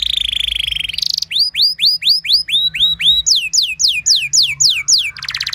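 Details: Canary song for coaching other canaries to sing; opens with a buzzy trill, then evenly spaced rising whistled notes roughly four per second, followed by downslurred whistles and a closing trill.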